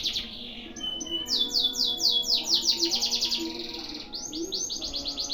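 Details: Long-duration canary song in one breath: a high trill, a steady whistle, then rapid repeated downward-swept notes and renewed fast trills.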